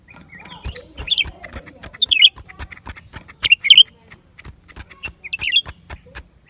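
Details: Lesser green leafbird singing in January 2023: sparse, bright chirped and slurred notes in short bursts about once a second, over a steady backdrop of sharp clicking noises.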